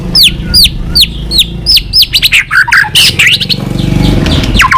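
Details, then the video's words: Tame white-rumped shama in vigorous, varied song, suited for luring birds: a series of high downward-slurred whistles repeated about every third of a second, then a jumble of mixed chirps, over a low background hum. "Burung murai gila || Suaranya cocok sekali untuk Pikatan"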